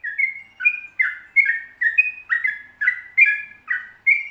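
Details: A sooty-headed bulbul in lively song of the long rolling 'ropel panjang' style. Liquid whistled notes dip and rise in pairs, delivered in a brisk irregular run of about ten phrases.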